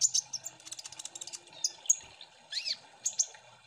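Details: Sunbird (kolibri ninja) lure song of the busy 'ombyokan' style, meant to make birds sing quickly: high, sharp chirps and tweets in quick bursts, with short rising and falling notes, over a faint low hum.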